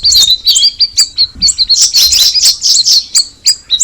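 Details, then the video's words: Straw-headed bulbul, called cucak rawis, gives crisp high whistled chirps spaced apart. These break into a brief fast flurry of bright twittering notes before slowing again. "the alluring sound of the cucak rawis bird"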